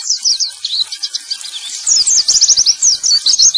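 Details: Male white-eye song serving as a singing prompt for white-eyes that have stopped singing; high, thin notes tumble in quick, jerky bursts, growing louder and denser in the second half.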